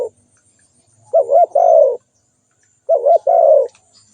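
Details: Spotted dove calling: a mellow, low coo phrase of two quick notes and a longer drawn-out note, heard twice about two seconds apart in otherwise quiet surroundings.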